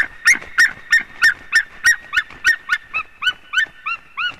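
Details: White-tailed eagle calling at its nest in Latvia, live nest camera: a dense, fast run of yelping notes, about three per second, with overlapping voices in the first half and cleaner, higher yelps at the end.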